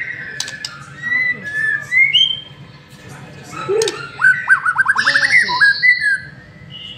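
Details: White-rumped shama lure song with short rising whistles, a quick stuttering trill of repeated notes and a brief buzzy phrase, over a faint background hum.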